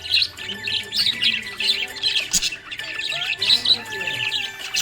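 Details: A happy budgerigar chirping in a lively stream of high scratchy warbles and squeaky notes, with faint steady tones in the background.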